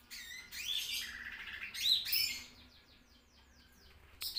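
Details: Lesser green leafbird on a tutor recording giving rich, varied high whistles and sweeping notes for two seconds, then a quieter run of rapid descending chips, ending in a sharp loud note.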